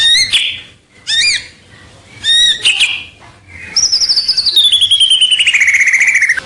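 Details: Clear White-rumped shama song used as a lure to attract rivals: three separated bright chirped notes, then a long fast trill gliding steadily downward in pitch.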